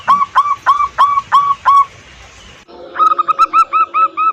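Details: Zebra dove of a local strain, its song used as a lure to prompt silent or new birds to sing: six loud arching coos, a short pause, then a quicker run of about ten lighter repeated notes.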